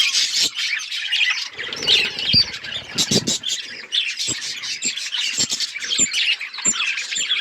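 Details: Budgerigars in a flock keep up a busy stream of chirps and warbles, bright rapid tweets layered over each other, broken by a few short clicks and low rustling bursts.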